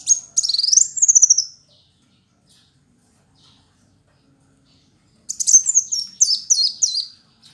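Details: Kolibri wulung sunbird, an active male fighter singer: one high sliding trill, a long silence, then a run of repeated down-slurred whistled notes delivered quickly and rhythmically.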